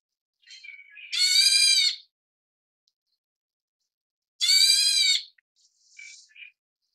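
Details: Black bulbul chicks of the Taiwan-endemic subspecies nigerrimus begging while being fed: two loud, harsh, buzzy rasps of about a second each, rich in stacked tones and spaced a few seconds apart, with faint softer chatter between them.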